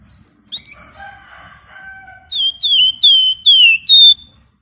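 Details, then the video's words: Flamboyan bird singing in a rapid, dense ngebren style: a soft chattering opening, then a run of loud, clear whistled notes, each briefly dipping and rising, repeated about every half second. "Burung Flamboyan Gacor Ngebren Rapat Nyerecet"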